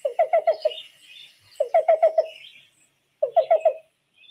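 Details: Black-billed Cuckoo (Coccyzus erythropthalmus) call: soft, hollow cu-cu-cu-cu phrases of four or five quick notes, repeated about every one and a half seconds.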